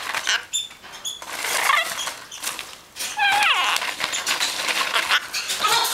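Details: A pet female Red-shouldered (Hahn's) macaw that climbed into a cereal box blows smacking kisses and says "Hi", "Hey Baby" and "I love you" in squeaky mimicry, then laughs; lovebirds and a Moluccan cockatoo call in the background.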